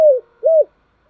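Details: Morning calling of a spotted dove, heard as the tail of a falling coo followed by one short arched coo, low-pitched and mellow in a quiet setting.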